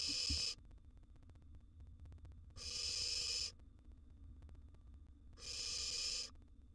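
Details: Nestling barn owl, wild, in a monitored nest box swallowing a huge gerbil, repeating a harsh rasping hiss three times at intervals of about two and a half seconds.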